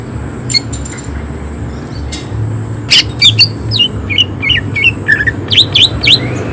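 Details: Greater green leafbird singing loud, harsh phrases: after a quiet start, a burst of sharp chirps, downslurred whistles and squawky notes follows from the third second, over a low steady hum.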